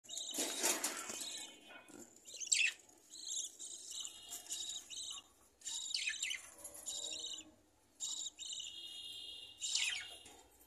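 A budgerigar chatters in bursts of high, scratchy chirps and warbles.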